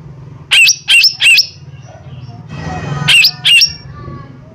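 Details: Harsh calls of a lesser green leafbird (cucak ijo mini), played to provoke a fast response. A tight triplet of rasping notes, a pause with a soft hiss and low hum, then a pair of identical notes.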